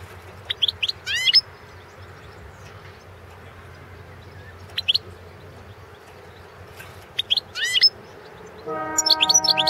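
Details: European goldfinch (Carduelis carduelis balcanica) competition song entry, 2016 World Championship: short bursts of bright, liquid twittering notes with quick buzzy slurs, broken by pauses; a steady, horn-like tone joins near the end.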